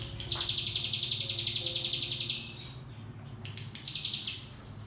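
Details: Mountain tailorbird giving its ngebrem song, played to train young birds to sing: a long, rapid, buzzy high trill for two seconds, a pause, then a shorter burst of the same trill near the end.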